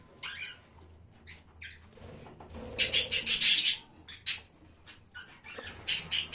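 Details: Budgerigars from a kept colony on 1 January make scattered high chirps and squeaks, with dense bursts of loud harsh noise, possibly wing flapping, around three seconds and near the end.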